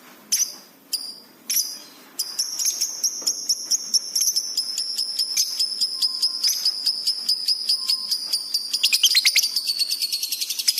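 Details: Lovebird in full, excited song, used as a training recording for pet birds: a few separate sharp chirps, then a fast, steady run of high, thin, ticking notes that speeds up and grows louder toward the end.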